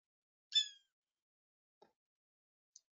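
A Blue Jay gives one harsh, raspy screech lasting about a third of a second, followed by two faint soft clicks.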